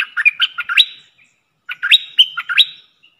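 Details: Decoy red-whiskered bulbul in a cage, used for luring, giving two quick warbled phrases of chirpy rising and falling notes ending in a sharp upward whistle, with a short pause between.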